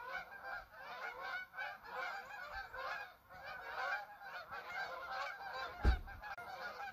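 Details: Many geese calling at once: a thick wall of overlapping harsh honks that pulses in loudness throughout, with a sharp knock near the end and some low rumble underneath.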